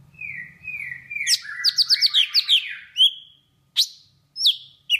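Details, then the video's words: Vietnamese golden-fronted leafbird, in a song used as a trapping lure, opens with drawn-out level whistles, then bursts into a rapid jumble of chirps and slurred notes, ending in separate sharp falling whistles. "Tiếng Thanh tước Việt Nam ✅Chim xanh trán vàng ✅Golden-fronted leafbird"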